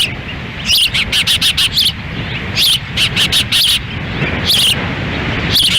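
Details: Ospreys feeding chicks at their nest in Lolo, Montana, June 10, 2017, on a windy day, the male standing by; a rapid string of ringing whistled chips, then shorter groups and single calls, over rushing wind.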